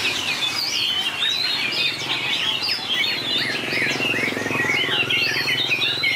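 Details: White-rumped shama competing in a singing contest, pouring out a long run of fast varied notes, chirped, whistled and slurred, that climb and fall continuously, with a low steady drone underneath.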